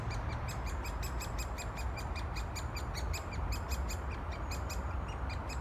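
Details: Woodpecker chicks in a nest hole in a forked tree in ancient Leicestershire woodland beg for food from the returning parent with rapid, high, ticking chirps about five or six times a second, over a low rumble of wind and nearby road traffic.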